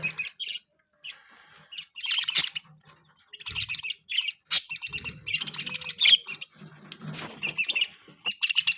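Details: Budgie chatter, a steady stream of high, buzzy chirps and squeaky warbles in quick clusters, with only brief pauses between phrases.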